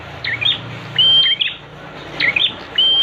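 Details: Prinia (prenjak) singing, used as a training recording: scratchy chirp clusters alternate with two long, steady, high whistles.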